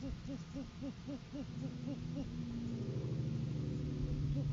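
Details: Live-cam great horned owls in courting season, male bringing a food gift to the female: a soft, quick series of low hoots fades under a rising engine-like rumble.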